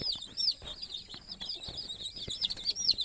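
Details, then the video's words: Chicks settling with their sleeping mother hen for the night on the nest; thin, high arched peeps come and go against a background of rustling and clicking noise. "Mother Chicken Calling Chicks Go to Sleep - Baby Chicken Chirping Noises"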